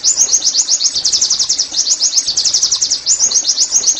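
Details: Oriental white-eye recording used to make caged birds sing; an unbroken, very fast high trill of slurred whistled notes, close to four per second, with a short dip near three seconds.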